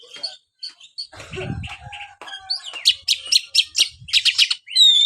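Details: Caged white-rumped shama giving short whistled notes, then a loud series of rapid buzzy, chattering phrases repeated in quick bursts, ending with a clear rising whistle; a brief low rumble midway.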